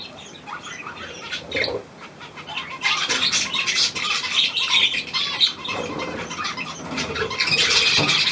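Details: Newly arrived hand-tame Australian pied budgerigar, 17 February 2023, starting with sparse chirps, then breaking into a loud, rapid, harsh chattering warble that grows busier toward the end.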